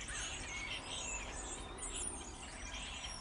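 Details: Busy starling chatter, many birds at once giving scratchy whistles and squeaky chirps in a continuous high-pitched tangle over a soft low hum of background noise.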